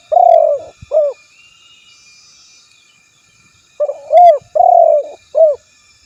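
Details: Spotted dove calling a rival, recorded for luring other doves into answering: low coos in two bursts, a long hooted note with a short second note, a pause of nearly three seconds, then four more coos.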